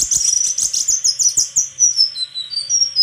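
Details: A white-throated flycatcher sings dense, high, scratchy twitters mixed with quick chirps, followed by pure piercing whistles that slide down and then up.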